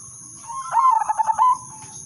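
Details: Melodious lure song of an udanmas silver zebra dove (perkutut): a single loud phrase of rapid, pulsed coos that rises and falls slightly, over a faint low rumble and a constant high-pitched tone.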